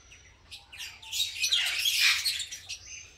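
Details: Green-type masked lovebird colony busy with pairing and nesting: a faint thin whistle, then a swelling mass of shrill, overlapping chirps and squawks that peaks and fades away.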